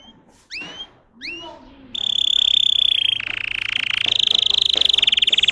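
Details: Russian canary bred for singing: two rising whistled notes, then a loud, dense rattling roll that continues with slight pitch shifts.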